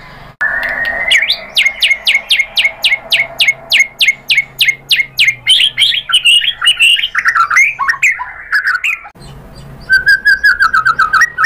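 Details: White-rumped shama song meant to lure other shamas into answering: a long series of sharp repeated chip notes about twice a second, then a rushed tumbling sequence of mixed whistles, ending with a short warbled phrase.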